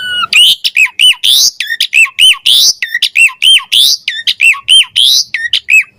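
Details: Javan pied starling repeating a pumping gacor phrase about 48 times a minute: a loud harsh squawk linked to looping whistled notes, rhythmic and insistent, with small chips between.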